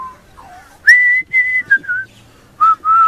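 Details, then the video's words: A baby pied butcherbird sings very high, pure, flute-like whistled notes, long held tones stepping gently downward like a simple tune, with short pauses between phrases. "Baby Pied Butcherbird singing very high pitch"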